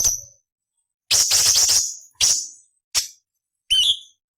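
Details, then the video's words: Cucak cungkok tutor recording with harsh 'beset nyerecet kasar' variations meant for shama, green leafbird and magpie-robin: one long rasping burst, then two short buzzy notes and a brief upward whistled twist, with silent gaps. "Masteran Burung Cucak Cungkok Istimewa - Isian Variasi Beset Nyerecet Kasar untuk Murai C.Ijo Kacer"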